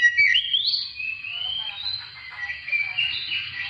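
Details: Oriental magpie-robin song meant to lure other birds to sing: a sweeping upward whistle followed by a long, wavering warble held at steady loudness.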